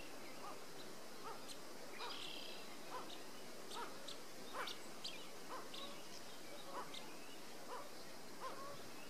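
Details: Blue-winged Teal at Foam Lake, Saskatchewan, on 23 May 2013, giving faint, short, high peeping notes about once a second over a soft background hiss of wind and open country.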